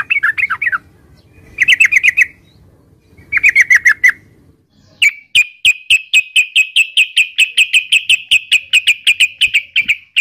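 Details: Yellow-vented bulbul, locally cerukcuk or trucukan, utters three short bursts of rapid chirps, then launches into a long, fast, even rattle of bright notes lasting five seconds.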